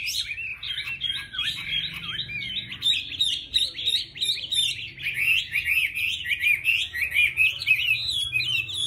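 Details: Chinese hwamei in full song: a dense, varied stream of slurred whistles and rapid chattering trills, building in loudness, with a low hum in the background.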